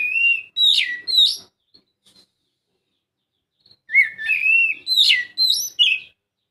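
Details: Two bursts of Oriental magpie-robin song, separated by about two seconds of silence, played to encourage a quiet bird to sing: bright, looping whistles mixed with brief rasping notes.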